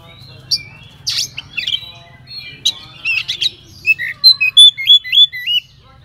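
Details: An Oriental magpie-robin sings a varied song rich in mimicry, a lure for other magpie-robins: harsh scratchy bursts and buzzy notes, then a clear series of looping whistled phrases repeated several times, with faint background hum.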